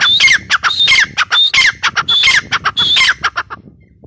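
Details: Grey partridge giving loud, harsh calls in a rapid series, each mixing a grating burst with a clear whistled note that drops in pitch, about one and a half calls per second, then trailing off into silence.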